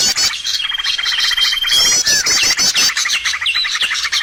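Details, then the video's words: Bird lure sound used to attract birds for trapping: dense, overlapping high chirps and trills with repeated rapid zigzag notes and a long level whistle across the first two seconds. "SUARA PIKAT BURUNG"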